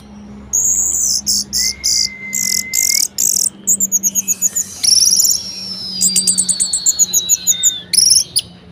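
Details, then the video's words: Orange-headed thrush with a rich, variable song meant to provoke reluctant thrushes to sing: high buzzy trills, a level sustained whistle, rapid chattering series and a long slowly falling whistle. "Anis Merah Gacor Variasi Bangkitkan Emosi Anis Malas Bunyi Agar Rajin Berkicau"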